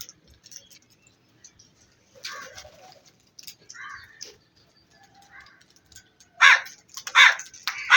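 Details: Black crows calling: soft, scattered calls give way to three loud, harsh, hoarse bursts near the end, each under half a second and spaced about half a second apart, with faint background chatter.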